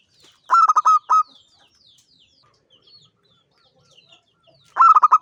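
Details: Zebra dove known locally as perkutut, a champion singer: two bursts of quick, pulsed coos framing a long quiet stretch with a few faint higher chirps.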